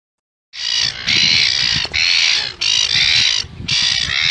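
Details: Gull calling with loud, harsh, drawn-out squawks, each lasting up to a second and broken by brief gaps.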